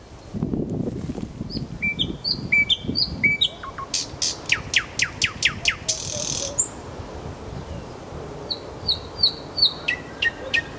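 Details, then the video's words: Kuzminsky forest park nightingale after initial rustling: paired high and mid whistles in a stuttering pattern, a rapid series of dry descending strokes, a brief hiss, then the whistle pairs and stroke series return. "Голос соловья"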